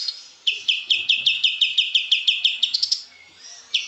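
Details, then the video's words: Kapas tembak white-eye giving a fast series of bright, high chirps, about four each second, quickening into a short burst at the end, then a pause and one more note. "kapas tembak gacor"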